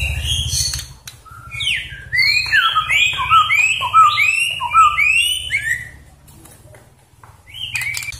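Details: White-rumped shama sings a rich run of clear, rapid whistled phrases, some sliding down and some up, which the owner hears as "jokowi jokowi", over a low background rumble.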